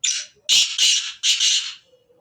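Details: Black francolin, called kala Sindhi teetar, giving its harsh grating call: one short rasping note, then a pause and three loud, scratchy, broad notes in quick succession, all high-pitched, with a faint low chirp at the end.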